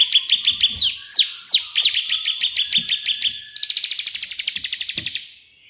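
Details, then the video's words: Lively ciblek (bar-winged prinia) in white-prinia 'tembakan' burst song. Quick high slurred notes and a few louder downward sweeps lead into a long, steady machine-gun trill that fades at the end. "burung ciblek gacor versi tembakan perenjak putih"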